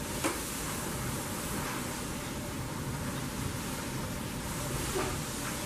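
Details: Dense wind-like rumble and hiss with a faint steady hum and two brief clicks, no animal voice.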